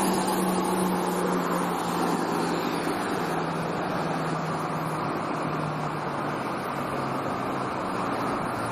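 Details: Continuous roar of traffic or wind with a low droning engine tone in the background, and no animal sounds.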